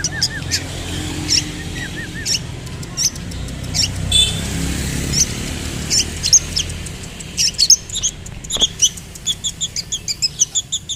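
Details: Long-tailed shrike, a caged songbird, singing: rapid, scratchy high chirps and short trills, building into a fast repeated chattering series toward the end, with a low background rumble.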